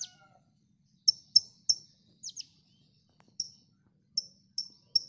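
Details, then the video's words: Konin training recording: crisp, isolated high chirps spaced irregularly, some doubled, with short pauses between them and faint clicks in the background. "MASTERAN KONIN Tembakan mantap!!"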